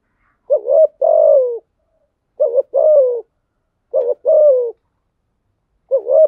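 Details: Spotted dove used as a lure bird to stimulate cooing: two-part coos, a short wavering note then a longer falling one, repeated about every one and a half seconds, four phrases on a silent background.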